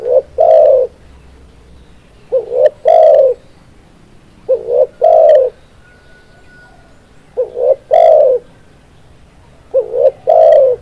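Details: Spotted dove, known locally as tekukur, cooing in five phrases roughly every two and a half seconds; each a short double hoot followed by a longer, louder falling coo, low and mellow, over quiet background.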